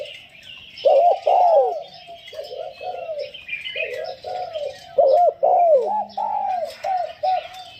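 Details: Captive spotted dove used as a decoy bird, giving its calling: low, husky cooing phrases. A loud emphatic pair of notes is followed by softer repeated coos. Thin chirps from other small birds run throughout.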